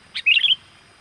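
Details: Bright, busy sooty-headed bulbul call played to lure wild birds: a quick introductory chirp, then a fast tumbling phrase of four or five warbled notes, clean and loud against faint hiss.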